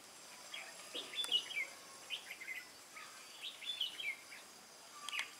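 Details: Wild-caught red-whiskered bulbul singing in a contest, recorded 22 October 2018: short, bright warbled phrases in irregular bursts, a few every couple of seconds, with a steady high background hiss.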